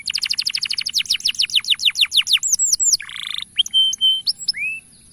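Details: Male canary calling to lure young canaries into singing: a rapid trill of steeply falling high notes, then a buzzy rattle and varied clear whistles, with a steady faint high-pitched hum behind.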